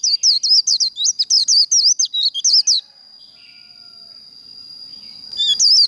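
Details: White-eye pouring out a quick líu contest phrase, played to fire up competing birds: roughly fifteen high, twisting whistles in under three seconds, then near silence with a thin steady tone, before a brief renewed burst.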